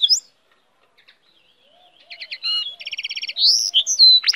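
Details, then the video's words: After a near-silent start, a goldfinch hybrid launches into quick repeated buzzy notes, a rapid even trill and bright rising whistles, with soft low notes underneath. "cante de hibrid de sticlet - Mixto de Jilguero - الهجين الحسون"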